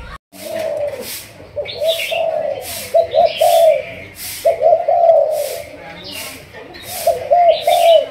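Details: Decoy-trained Malaysian spotted dove of the thúc gù line cooing in long runs of linked coos, with a higher chirping bird and rhythmic pulses in the background.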